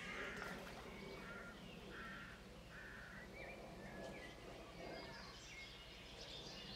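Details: White stork chicks on the nest begging while being fed: a series of harsh, raspy bursts, some short and some drawn out, repeated at an uneven pace, over twittering small birds and a steady background hum.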